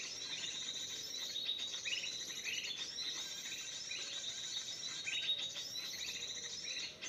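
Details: Sooty-headed bulbul song played from an MP3 to lure and trap wild birds: short bubbly phrases repeated every second or so, over a dense, continuous high chirping of many other small birds.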